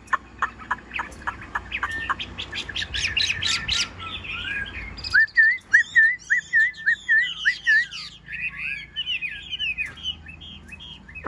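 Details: Yellow-billed Chinese hwamei, caged and mostly tame, sings during rain: a fast ticking series of sharp notes, then a regular run of repeated slurred whistles about twice per second.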